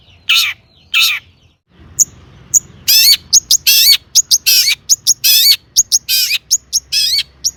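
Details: Long-tailed shrike singing a full song packed with mimicked phrases, played as a lure to set other shrikes singing. Two harsh buzzy bursts open it, then rapid high whistled slurs and loud raspy notes alternate in a busy, uneven stream.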